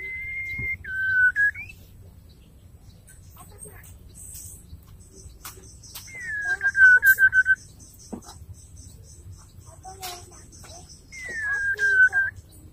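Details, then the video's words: Female white-rumped shama calling the male: three separate clear whistled phrases, each sliding down and ending in a short rapid trill, spaced by quiet pauses with a faint high background hum. "murai betina gacor memanggil jantan"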